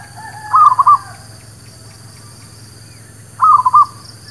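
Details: Zebra dove lure song for catching wild birds and training new ones: two brief trilled cooing phrases about three seconds apart, soft and rapid, with a faint background hum.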